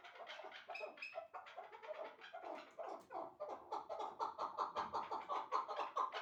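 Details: Captive chukar partridges, a two-year-old wild-caught bird now in moult and a one-year-old hybrid, giving rapid, rhythmic clucking chuk notes about two to three per second, growing louder and more regular toward the end.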